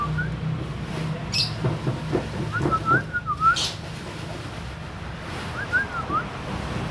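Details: Grey-cheeked bulbul, a raw untrained bird not yet singing freely, giving short clear whistled slurs, rising then falling, in small groups a few seconds apart over steady low rumbling background noise.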